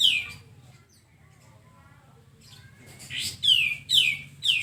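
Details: Sooty-headed bulbul song in a masteran tutoring recording meant to get birds singing quickly: after a quiet stretch, loud harsh notes sweep down from high to mid pitch, mostly in close pairs, over a low steady hum.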